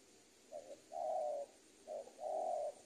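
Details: Spotted dove 'super penguku' tutoring recording for young birds: two moderately quiet phrases of a short note plus a drawn-out hollow coo, set in noticeable background hiss.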